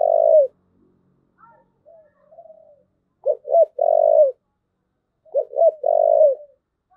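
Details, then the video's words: Spotted dove giving the cooing style known in Vietnamese as thúc gù: low, mellow coos, each phrase made of two short clipped notes followed by a longer drawn-out falling coo, repeated about every two and a half seconds, with clean quiet background. "cu gáy thúc gù"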